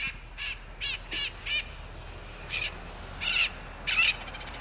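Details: Mitred parrots, a pair with young on a rooftop in Sunnyvale, give harsh buzzy squawks in short bursts, about ten calls over a few seconds with uneven spacing, the last ones louder, over faint background hiss.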